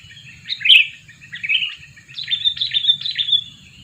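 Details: Two-year-old sooty-headed bulbul kept as a lure bird, calling to attract wild birds: a few short, bright chirps and slurred notes, then a run of quick rising-falling chattering phrases, over a low steady hum.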